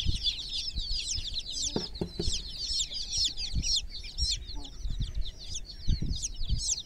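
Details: Groggy chicken chicks in a water pool keep up a busy stream of shrill, overlapping cheeps, while dull low bumps and sloshing sounds come through underneath.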